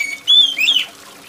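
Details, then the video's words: Oriental magpie-robin giving a brief shrill whistled phrase: a long level whistle followed by a downward-bending slurred note, over faint water trickle. "TERAPI KACER MALAS BUNYI || kacer mana yang gak ikut bunyi dengar kacer gacor + suara air hujan"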